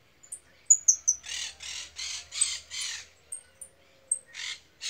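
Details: Female European goldfinch, described as angry, giving a few thin high chirps and then a run of five harsh, buzzy, rasping notes in quick succession, followed by more high chirps and another buzzy note.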